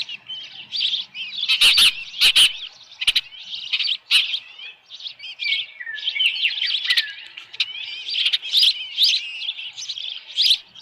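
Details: Osprey at its nest at Dunrovin Ranch with a headless fish, 10 June 2018, 6:41 PM. Dense, high, thin chirping calls run almost without pause, with sharp broadband clicks and knocks at intervals.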